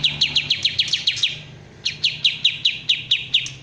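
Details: Kapas tembak bulbul, original sound: a burst of about nine quick downslurred chips, a brief pause, then another run of about eight similar notes. A low hum runs in the background.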